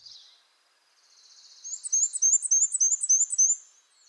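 A Black-and-white Warbler's thin, very high song of quick, squeaky two-note phrases, about three or four each second, like a turning squeaky wheel, after a faint hiss.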